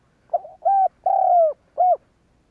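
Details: Spotted dove giving its coo to stir other doves into calling: a quick stuttered start, a level hooting coo, a longer falling coo with a rough onset, then one short closing coo.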